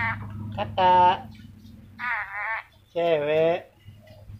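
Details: Ornate lorikeet from Sulawesi, praised as a clever talker, uttering three rich voice-like syllables, the last one long and slightly falling, separated by pauses against a low background hum.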